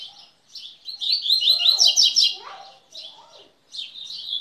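A Double-collared Seedeater sings a fast, high run of chattering, trilled notes in short bursts, with faint lower sounds, possibly a voice, underneath.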